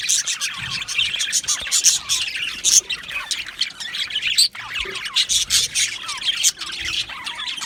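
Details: Australian budgie colony chirping in an aviary: lively, high twittering and squeaky warbles from many birds, pulsing in loud clusters with a brief dip near the middle.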